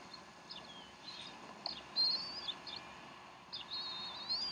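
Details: At the Decorah nest during an afternoon feeding, 3:10 pm Central Time on 12 April 2012, bald eagles give high, thin whistled chitters with wavering slurs, quick chirps in between, against faint steady background noise.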